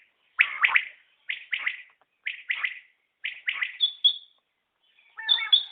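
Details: Batair (common quail) calling: five triple-note phrases, each a rapid sharp liquid 'whit-whit-whit', spaced about a second apart, with a thin high whistle near the end.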